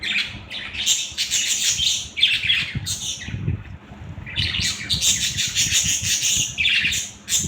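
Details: Pet budgerigars chattering in bursts of dense, scratchy warbling and chirps, pausing briefly mid-clip before resuming, with a low rumbling background.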